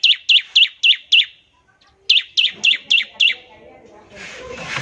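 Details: Bar-winged prinia trilling ngebren to set other prinias singing: five quick high chips, a brief pause, five more, then a burst of rustling noise.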